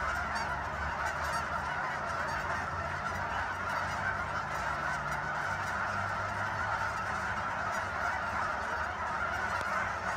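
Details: Geese crowd Sunset Lake in Guymon, Oklahoma, their massed nasal honks forming a constant roar, with a faint low hum underneath.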